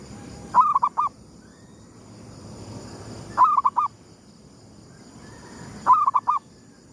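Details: Zebra dove (perkutut) of gedong mengo style singing at sunrise as a lure: three clear phrases about two and a half seconds apart, each a bubbling coo run closed by two or three separate notes; soft background hum.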